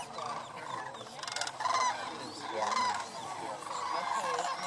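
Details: Migrating sandhill cranes massed at Paynes Prairie State Preserve near Gainesville, Florida, call together in a thick, continuous wall of rattling, bugled notes, with several louder rolling calls surging out of the flock around the middle.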